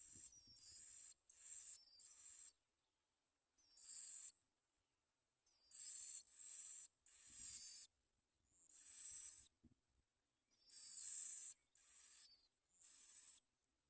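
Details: Nestling Bar-winged prinias being fed baby locusts by their parents: repeated harsh, sibilant high bursts come in irregular clusters, some doubled, over about fourteen seconds, with a thin constant high tone in the background.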